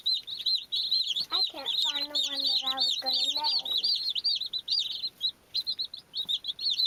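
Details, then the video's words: A crowd of baby chicks chirping in high, quick peeps, joined for about two seconds by a lower, steady, harmonic drawn-out call beneath them. "Beautiful Baby chicks-Chirping Sound"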